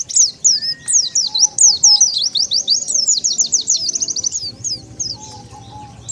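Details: Oriental white-eye call used to attract wild birds: a continuous chain of quick, high zigzagging chirps for about four seconds, then quieter, sparser twitters, with a faint steady low tone.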